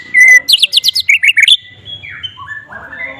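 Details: White-rumped shama with mimicked flycatcher notes: a clear whistle, then a quick series of sharp, bright chirps, followed by sliding whistled notes that fade into softer warbling.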